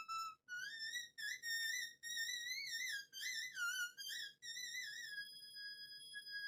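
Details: A pet cockatiel whistles the Turkish folk tune "Yüksek Yüksek Tepelere" in clear, pure notes that rise and fall in phrases.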